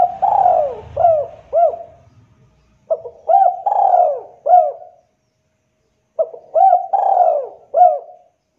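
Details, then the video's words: Spotted dove cooing, used as a lure to provoke captive doves to answer and sing: three bouts of soft, low coos, each a short note, a longer drawn-out coo and a closing note, separated by quiet gaps. "pancingan TEKUKUR DERKUKU DERUK GACOR"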